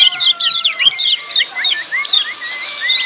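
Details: Busy 'ciak' calling of lemon-bellied white-eye, meant to draw quiet birds into song: rapid clusters of sharp high chirps broken by short gaps, with thin sliding whistles rising and falling underneath.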